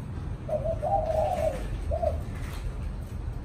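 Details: Caged spotted dove delivering a "thổ chạm đồng" coo: a drawn-out, wavering mellow phrase followed by a short closing coo, over low rumbling background.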